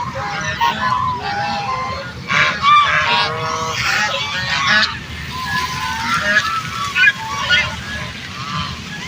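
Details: A flock of ducks calling together, a duck calling to other ducks: overlapping nasal honks and quacks, several each second, rising and falling in bursts over a low background rumble. Finding: duck.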